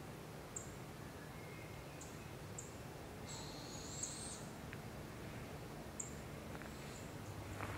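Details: Barred owl with her babies in the wild in Canada: one steady, breathy hiss lasting about a second, midway through. Short high ticks sound before and after it.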